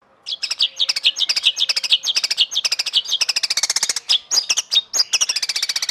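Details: White-rumped shama song, in a training recording for cage birds said to catch judges' attention: a dense stream of rapid, high, sharp chirps and ticks, barely pausing.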